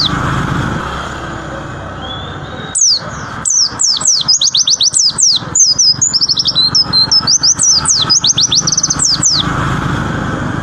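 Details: White-eye, locally pleci, opens after a quiet start into a rapid tembakan run of high sweeping whistles and quick trills lasting about six seconds, then falls silent over steady background noise.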